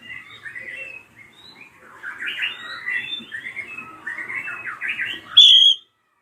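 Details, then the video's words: Drongo of the krantil type, its scream used to provoke young birds into singing; jumbled, scratchy chattering notes run together for about five seconds, then end in one loud, piercing whistled note. "JERITAN SRIGUNTING KRANTIL RAJA PALING COCOK BUAT PANCINGAN BURUNG BAHAN"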